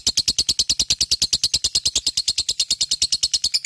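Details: Gacor fighter lovebird in ngekek, a very regular run of harsh, high, pulsed notes, about eight a second, each note clipped and evenly loud.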